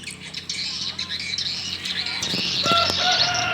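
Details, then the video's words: Swiftlets responding in the evening at a small swiftlet house: a dense chorus of high, rapid chirps and twitters, with a few lower harmonic squawks near the end. "Burung walet respon di Rbw mini"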